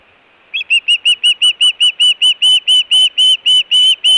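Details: Osprey calling at the Hellgate nest camera on 24 June 2017, amid food calling and alert calling by the pair: a long, steady string of nearly twenty piercing whistled chirps, evenly spaced and hardly changing in pitch.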